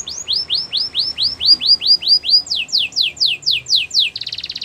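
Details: Canary song used for training: a run of arched, downslurred whistles about three per second, then a faster higher series, ending in a rapid buzzy rattle.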